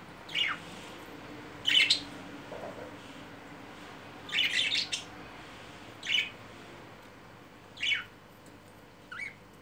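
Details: Budgerigars caught mating, then courting: short sharp chirp bursts repeated every one to two seconds over a quiet indoor background.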